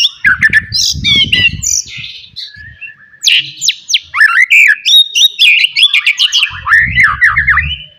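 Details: Wild white-rumped shama from forest, loud song meant to provoke rivals: rich varied phrases of whistles, rapid trills and sweeping slurred notes, dense and fast, with low thumping noises at the start and end.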